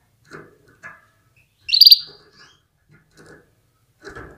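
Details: Female canary gives one bright, high, rapid chirping call lasting a fraction of a second, among faint soft knocks and rustles. It is a female's call used to stir males into breeding readiness and full song.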